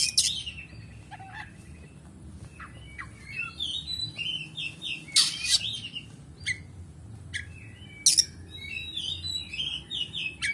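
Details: Oriental magpie-robin (kacer) in fighter-style song: scattered whistled notes, short trills and abrupt harsh bursts separated by brief pauses, with a steady low hum underneath.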